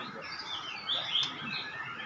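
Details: A 7-month-old white-rumped shama competing in the adult class at a songbird contest gives short, high whistled notes that rise above a steady hiss of background chatter.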